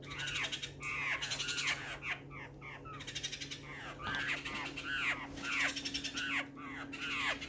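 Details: Black-faced laughingthrush, June 12, 2020. Continuous chorus of rough, down-curving notes and squawky bursts, rising and falling in loudness every second or so, over a faint steady hum.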